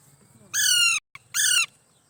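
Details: Parrot chicks calling: two harsh, buzzy squawks, each about half a second long, separated by a brief pause, rich in stacked overtones, over a faint low hum.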